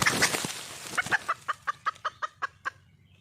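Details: A wild red junglefowl hen seeking a male gives a string of about a dozen sharp clucks. The clucks slow and fade after a noisy, rustling opening.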